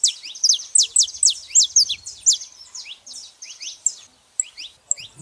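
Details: Saffron finch pair, female and male, producing dense high chirping: rapid descending slurred notes, about two per second, crowded at first and thinning toward the end.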